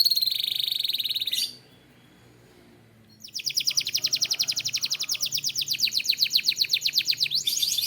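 A Belgian canary sings a high, bright trill, then a short pause, then a long rapid rolling trill of repeated notes, about four a second.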